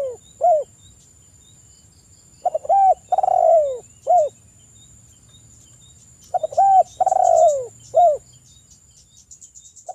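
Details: Spotted dove singing melodiously as a morning and evening lure for other doves: short coos open, then two complete phrases of stuttered lead-in, rounded coo, long falling coo and short end note.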